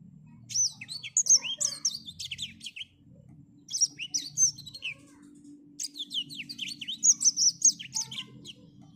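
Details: On an overcast morning a black-throated finch delivers three bursts of hurried, high-pitched twittering, each packed with quick rising and falling whistled notes and trills, separated by short pauses, over a soft low hum.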